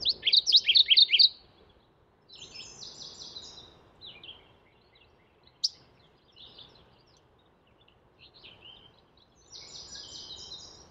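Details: Mourning warbler calling: a loud, quick burst of about six bright, rolling notes, followed by quieter buzzy phrases and scattered faint chirps against a soft background hiss.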